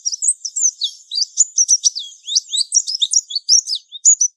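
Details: Mountain white-eye (Zosterops montanus) sings a fast, high, jumbled twitter of thin slurred notes and sweet trills, running without a break for several seconds; a forest-type lure song used to train young captive birds.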